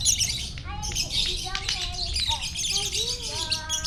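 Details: A champion gacor lovebird singing in the morning at Parahyangan Village, Bandung: continuous shrill chattering over sliding, slurred whistles that rise and fall, with a faint low hum.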